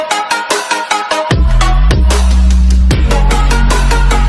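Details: Loud electronic dance music with thumping bass drops and a repeating synth beat, and no animal sound.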